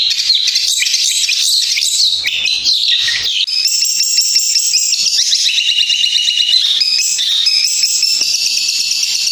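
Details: Long-tailed shrike (Lanius schach) in a fighting-style song, pressing with prominent, sustained phrases: a loud, continuous run of shrill, scratchy phrases and mimicked chirps, with rapid trills and high whistles packed densely together without pause.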